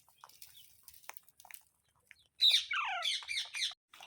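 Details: Parrot gives a burst of loud harsh squawks with falling, chattering notes after a few quiet clicks and taps.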